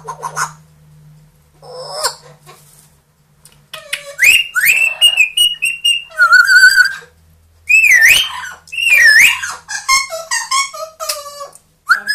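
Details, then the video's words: Loud mixed whistles from a captive two-year-old grey parrot and one-year-old Amazon parrot: clipped notes, trilled and warbling phrases, and swooping up-down whistles in quick succession, with a low hum in places. "quelques mot et bruitage des perroquets"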